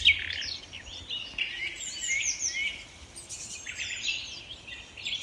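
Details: Common nightingales in Kent woodland, three singing within a hundred metres, layer rich whistles, quick trills and sharp chirps in overlapping high phrases over a faint outdoor hush.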